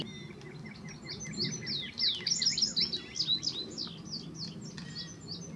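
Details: Indigo bunting arriving this week, still molting, singing a busy burst of high, sweet slurred notes in paired phrases, louder in the middle, over faint steady background hiss.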